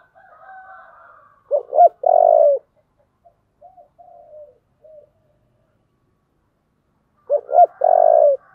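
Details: Spotted dove singing 'giọng thổ' style, repeating its low cooing phrase twice about six seconds apart: paired short swooping notes and a long, rough, falling coo, with soft scattered notes between.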